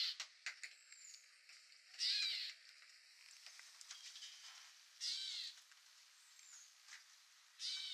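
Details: Gray Catbird recorded at Newman Lake, Washington, USA: three rasping, nasal mew calls, each about half a second long, roughly every three seconds, with scattered soft ticks and thin high notes in between.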